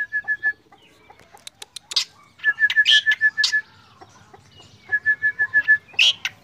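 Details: Black drongo in morning song, delivering quick series of clipped whistled notes in even runs, broken by harsh scratchy chips and a rising squeak; faint low rumble beneath.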